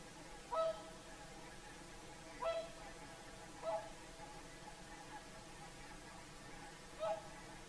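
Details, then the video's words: Evening singing of whooper swans at sunset on the shore of Lake Saimaa: four separate bugling notes spaced irregularly over about seven seconds, each short and nasal with a higher overtone, in a quiet setting. "Swans singing at sunset"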